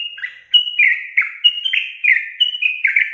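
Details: Sooty-headed bulbul singing its lively ropel song, an unbroken sequence of fluty whistles that flick upward and slur down, about three notes per second, clean and close.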